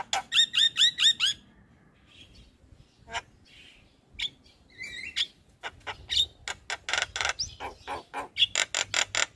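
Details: Morning call of a Javan myna that gets other mynas responding: a quick row of high stacked chirps, a quiet gap with scattered notes, then a rapid series of harsh rasping bursts.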